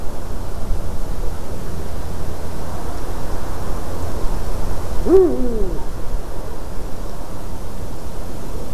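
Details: Eurasian eagle-owl sitting in a white-tailed eagle's nest on an evening in March 2019 gives one brief, deep, hump-shaped hoot after a stretch of constant low-pitched wind noise.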